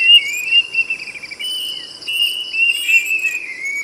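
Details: Plaintive cuckoo giving a loud whistled song: drawn-out, clear notes that slur and rise slightly, repeated with brief breaks, over a steady high insect drone.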